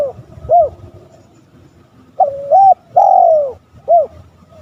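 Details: Spotted dove calling on a lure recording for rival males: a lone short coo, a pause, then a full phrase of a level double coo, a long sliding descending coo and a quick last note.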